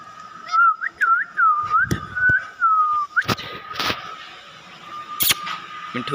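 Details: Parrot chirping in a room: a rapid string of swooping U-shaped whistles, about two per second, ending with a drawn-out level whistle and an upward flick, then knocks and clatter over a steady hum.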